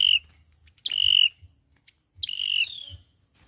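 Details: Olive-backed sunbird in fighting song, a trapping lure: three high whistled notes, each opening with a quick upward flick then held level and fading, separated by short quiet gaps.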